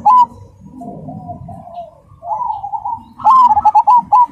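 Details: Zebra dove, Cemani black variety, singing loudly and clearly in rhythm: soft low coos first, then a sustained mid-pitched coo, ending in a bright burst of quick stuttered coo notes.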